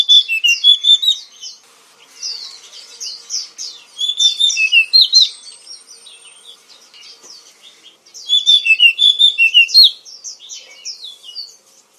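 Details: Kacer, or oriental magpie-robin, from Indonesia, a black-and-white songbird: rich melodious song of rapid varied whistles, chirps and slurred notes, delivered in three loud bursts separated by quieter twittering, with no other clear sounds.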